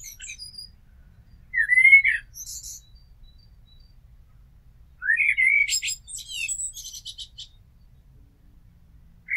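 A Common Blackbird sings two unhurried phrases, each opening with a low, mellow fluted warble and ending in a thin, high squeaky twitter, with pauses between.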